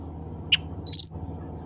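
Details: Cucak ranting bulbul calling others of its kind: a brief soft chip followed by one strong, rising whistled note with a wavering end, over a low continuous hum.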